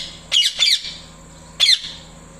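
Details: Loud parrot chirps aimed at a male: two scratchy high notes in quick succession, a pause of almost a second, then one more grating chirp.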